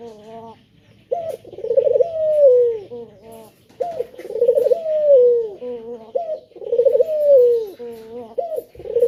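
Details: A male spotted dove calls to lure others into song, repeating a three-part coo: a clipped rising note, a warbling swell, and a long downward glide, several times at an unhurried pace indoors.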